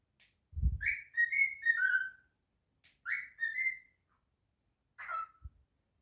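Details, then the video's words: Male pet cockatiel whistling a tune indoors: a low thump, then a long phrase of descending clear whistles, a shorter repeat of its opening a second later, and a final brief falling whistle near the end. "The Naughty Cockatiel singing, whistling and saying his name."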